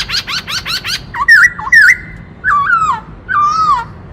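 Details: Black-throated laughingthrush singing and dancing, with many varied voices. A rapid series of five buzzy rising notes opens, then loud, clear whistled phrases slide up and down, each about half a second long, over quiet background hiss.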